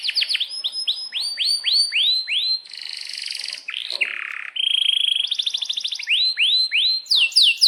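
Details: Canary in breeding condition, singing with sharp chirps and long rolls as a tutor song. Loud repeated downslurred whistles come in a rapid series, then buzzy trills, a steady tone and more downslurred notes, all high-pitched and forceful.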